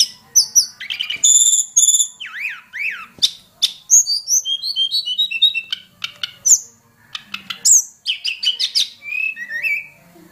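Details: Hill prinia call meant for tutoring cage birds: a dense, lively string of high chirps, rising and falling zigzag whistles and quick rattled note series, delivered almost without pause over ten seconds.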